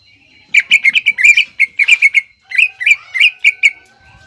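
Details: Greater green leafbird 'nembak ngekek' song, played to entice young birds to copy it: tumbling, uneven clusters of sharp chattering chips, with a brief gap midway.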